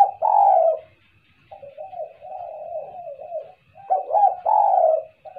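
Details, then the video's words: Spotted dove cooing, used as a lure call: a loud low coo, then a softer run of wavering notes, then two more loud coos near the end, with a faint steady hum throughout. "SUARA TEKUKUR,,, buat pancingan suara kuk2...."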